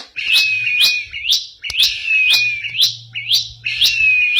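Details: Bar-winged prinia in busy ngebren-style song, giving high upslurred chips roughly twice a second, each followed by a thin, slightly falling whistled tone, the sequence repeating with short breaks.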